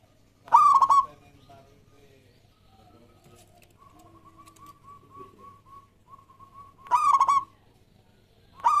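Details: Local Zebra Dove song used to prompt other doves to sing: loud stuttering coo phrases about six seconds apart, with a softer, more distant series of short even coos between them.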